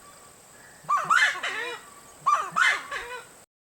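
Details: Giant wood rail (Aramides ypecaha) song from Brazil: two loud bursts of harsh, honking, cackling notes about a second and a half apart, over a faint steady hiss.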